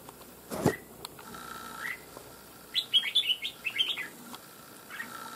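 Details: Wild-caught caged red-whiskered bulbul with a loud bell-like voice sings a lively phrase of quick rising and falling whistles after a single thud and a soft call, followed by a lone whistle near the end.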